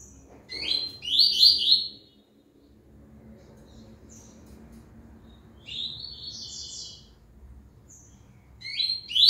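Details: A double-collared seedeater returning to song after its moult sings bright, buzzy, high-pitched phrases of quick chirps and trills, in bursts separated by a few seconds of quiet, over a faint hum.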